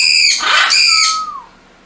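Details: Turquoise-fronted amazon (Amazona aestiva xanthopteryx) gives a loud, harsh, grating squawk in two quick bursts, then a short clear whistle that slides downward and fades.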